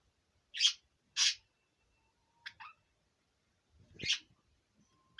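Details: A five-year-old male pet budgerigar, out of its cage, sings short, scratchy, high chirps in irregular bursts, with brief pauses between notes and a soft thump near the end.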